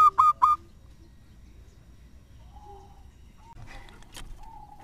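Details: Lure-bird zebra dove, a local bird in good voice, opens with three quick clipped notes. Near-silence follows, with faint thin whistles and a soft rustle later.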